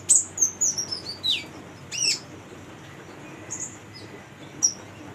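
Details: Female brown-throated sunbird singing to stimulate untrained young birds: a quick burst of high chirps descending into a sliding note, one sharp call, then sparse thin chips with quiet gaps.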